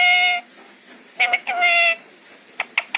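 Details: Talking parrot kept as a pet, copying Hindi words: a steady, whistle-like tone, a pause, then a choppy phrase leading into another sustained tonal note, followed by three sharp clicks.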